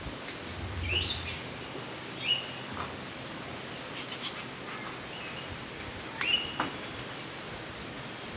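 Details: Myzomela calling, recorded December 25, 2022: several thin, high chirps, some rising and some falling, scattered through the recording, over a steady high insect whine and low background rumble.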